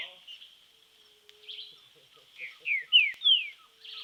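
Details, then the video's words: Green-winged saltator training its song in nature amid a steady high background hiss and faint other chirps, with a series of clear descending whistles near the end. "TRINCA FERRO TREINAMENTO NA NATUREZA"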